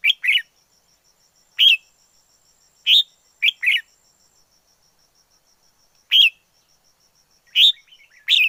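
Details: Wild red-whiskered bulbul song of short, cheerful whistled notes in pairs and singles, with gaps of up to two seconds, closing with faint chatter and a final bright note.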